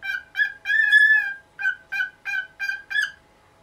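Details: Pet cockatiel in its nineteenth year, making noise in the morning to get the cloth over its cage removed: a string of loud, harmonic, nasal squawks, some short and clipped, one drawn out longer near the start, in a quiet room.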